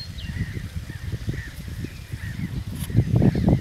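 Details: Northern shoveler in the Upper Vistula valley near Iłownica, Poland, giving low, hollow knocking notes, about four a second, with faint thin whistles above and rough background rumble.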